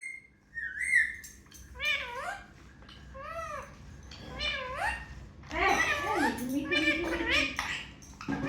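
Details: Pet Indian ringneck parrot indoors mimicking words: a series of short rising-and-falling vocal phrases with harmonic, speech-like contours, growing louder and more continuous toward the end.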